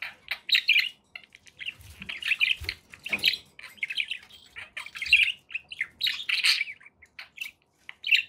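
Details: Cheerful pet budgies giving a long stream of short buzzy chirps and warbles in quick clusters, several birds calling together.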